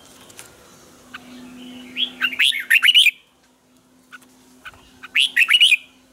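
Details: Red-whiskered bulbul singing in the morning for training birds, with tight twisting double notes: two phrases about three seconds apart, each building from scattered chirps into a quick run of rising and falling warbled notes.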